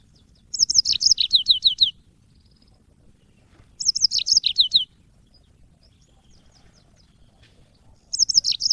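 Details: Yellow-fronted canary song for training caged birds: short bursts of rapid high chirps and downslurred notes, each about a second long, repeating roughly every three to four seconds with quiet between.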